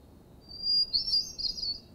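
Hermit Thrush song: a clear, sustained whistled opening note, then a quick fluttering flourish that climbs a little higher. Faint low background hum underneath.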